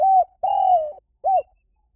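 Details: Spotted dove decoy call in a single phrase: a soft coo tail, then a long, smooth, slowly falling coo and a short arched final note. Nothing else is heard.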